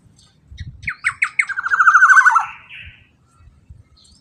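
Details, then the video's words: Black-naped oriole sound played to stir other orioles to sing: a few quick clipped notes leading into a drawn-out, rasping, downward-sliding nasal note, then quiet. "Pancingan Burung KEPODANG EMAS Super LANTANG pancingan agar kepodang lain ikut BUNYI & EMOSI"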